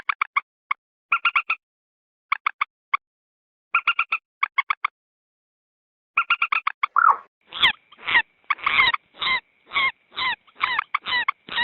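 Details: Common moorhen lure call for drawing wild moorhens closer in swamp or rice field: clusters of quick, clipped ticking notes with brief silences, then louder, harsher croaking calls about twice a second. No other sounds.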